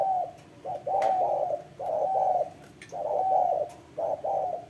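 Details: Spotted dove calling in mellow, throaty coos: a short note then a longer rolling hoot, phrases repeated about every second with quiet gaps.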